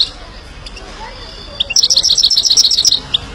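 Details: Himalayan goldfinch song with scattered faint high notes leading into a quick burst of sharp, high, repeated twittering lasting over a second, ending with one isolated note.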